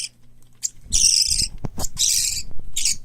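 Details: Young parakeets, a mix of white lovebird, cockatiel and budgerigar chicks, raised for hand-taming in Fukuoka, Japan. Two long, scratchy rasping calls and shorter harsh bursts are heard over dull low thumps and handling noise.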